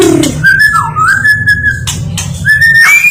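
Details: White-rumped shama, a national champion songbird, singing long, steady, clear whistled notes at a mid pitch, with a short dip and slide between phrases and a brief rising note at the end; a low steady hum runs underneath throughout.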